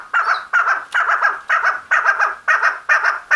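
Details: Loud, steady run of about eight harsh, grating chuckling bursts from a female chukar partridge, repeated roughly every 0.4 seconds with an even rhythm.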